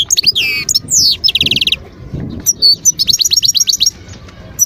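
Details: Wild European goldfinch singing at Guerbaz, Skikda, Algeria, 2022: rapid high twittering with sweeping descending notes, a short buzzy trill, then a quick run of repeated bright notes, clear and close.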